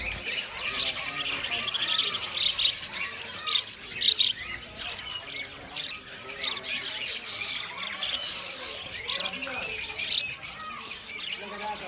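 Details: About 100 budgerigars kept in one cage chatter nonstop in high, scratchy chirps and warbles that overlap into a dense din.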